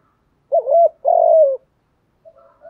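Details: Spotted dove coo meant to set newly caught doves calling. One phrase of a wavering double hoot then a steady falling coo, followed after a pause by faint soft notes.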